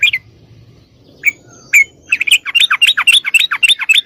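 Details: Caged yellow-vented bulbul singing to make other birds reply: a few isolated sharp notes, then a quickening run of rising and falling bubbly notes.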